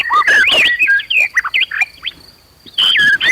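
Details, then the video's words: Agitated murai batu (white-rumped shama) song, used to provoke other shamas to fight and sing loudly. Loud, varied whistled phrases sweep up and down and break off in the middle before resuming. A steady high tone runs throughout. "PANCINGAN MURAI BONGKAR ISIAN BIKIN KONSLET"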